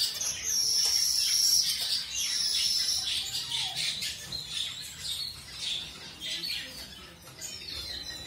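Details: Zebra finch in a colour mutation, newly introduced to a fresh mate: loud high whistled phrases in the first three seconds, followed by rapid repeated chirps fading slightly toward the end.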